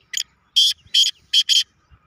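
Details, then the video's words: Black francolin (kala teetar) competition call: a brief stuttered double note, then four strong, scratchy, buzzy notes, the final two paired tightly. The background stays quiet. "Black francolin Bird kala teetar Compitation Teetar Sound"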